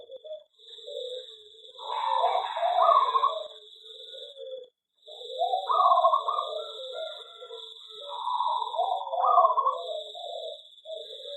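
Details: Zebra dove singing in an aviary: rolling, trilled coos in phrases of about two seconds, separated by a short pause, over a constant high-pitched whine.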